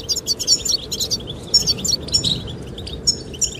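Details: Wind-swept chirping of goldfinches, the song given to attract a female: quick high twittered phrases in short bursts separated by brief pauses, with soft wind noise underneath.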